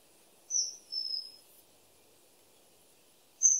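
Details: Common kingfisher calling: a shrill high whistle followed by a longer, slightly lower drawn-out whistle, then quiet until another piercing whistle starts at the end.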